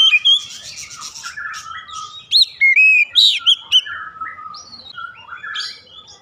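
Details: Oriental magpie-robin singing a mix of scratchy, hissing notes and bright, clear whistles, with a loud cluster of pure rising and falling whistles midway, then softer chattering phrases.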